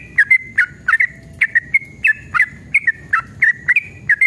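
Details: Yellow-vented bulbul, excited and fight-ready, singing a long rapid ropel as a lure for caged birds. Bubbly slurred whistles rise and fall in fast, irregular pairs and triplets against a quiet background.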